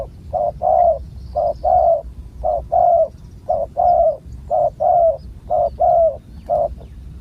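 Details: Deep-voiced wild spotted dove during a decoy-luring session. It coos steadily for several seconds, each phrase a short note followed by a longer, slightly falling one, repeated in regular groups.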